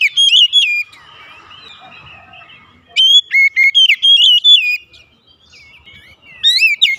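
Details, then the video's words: Oriental magpie-robin in the morning, giving short bursts of loud, looping whistles and sharp notes, with a quiet stretch of soft background hiss between phrases. "OCEHAN KACER DI PAGI HARI"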